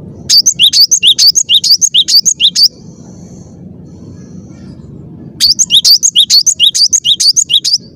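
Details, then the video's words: Cinereous tit singing persistently in a clear voice: fast, high, bright two-note phrases repeated in a rapid rattling run, a pause with a faint thin tone, then another equally quick burst over low background hum. "ngotot suara jernih, gelatik batu gacor"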